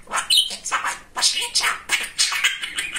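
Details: Chatty male pet budgerigar babbling human-like words: dense raspy syllables with squeaky whistled accents, barely pausing.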